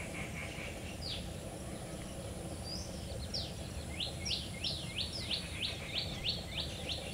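A cotton pygmy goose gives a rapid run of sharp, high, clipped notes, about three a second, over a steady low rumble of background noise.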